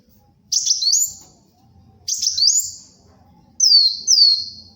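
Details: Sunbird (kolibri wulung) in full voice for luring and training other birds: two high phrases, each a rough burst then an upward-sliding whistle, followed by two quick descending, piping notes.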